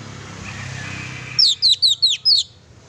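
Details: Oriental magpie-robin singing chattily, used as a lure to stir a pet bird: five sharp, high, slurred chirps in a quick even burst after a second of soft background hum.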